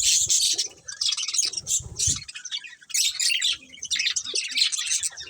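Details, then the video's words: Budgies chirping as they eat: bursts of bright, buzzy twitters and squeaks in clusters separated by short gaps, with soft low bumps early on. "Colourful Budgies Chirping Sounds | Love Birds Eating"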